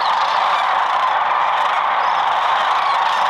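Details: A huge flock of Sandhill Cranes arrives at sunset to roost overnight on the braided Platte River, Nebraska, during migration. Overlapping rolling, trumpeting rattles merge into a steady, unbroken roar with no pauses.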